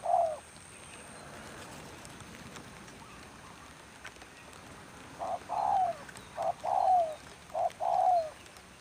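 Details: Spotted dove brought out as a trapping decoy during rain calls in a rhythmic series of soft, falling coos, quiet at first, then four clear phrases in quick succession against a hissing rainy background.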